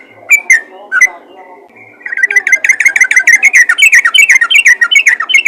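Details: Calling yellow-vented bulbul addressing other bulbuls: a few scattered chirpy whistles and a soft note, then from two seconds a dense, lively stream of quick rising and falling whistled notes.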